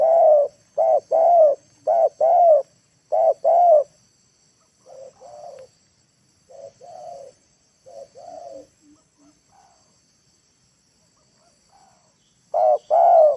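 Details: Spotted dove used as a decoy in the late afternoon to draw wild birds to the ground: loud bursts of stuttered double and triple coos, softer distant answering coos in the middle, then loud cooing again.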